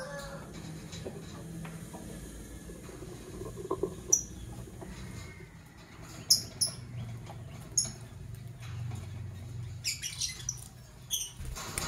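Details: Fischer's lovebirds, Parblue Violet and Pastel Green Opaline colour forms, in the morning: short, sharp, high-pitched chirps come singly and in quick pairs, sparse at first and thicker toward the end, over a steady low hum.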